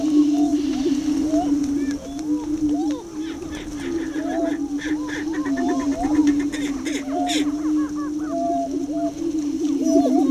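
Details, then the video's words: Greater prairie chicken lek east of Crookston, Minnesota, where a frustrated subdominant young male dances; dense chorus of low continuous booming with rapid quacking cackles and whoops layered on top. "Greater Prairie Chicken dancing on a lek"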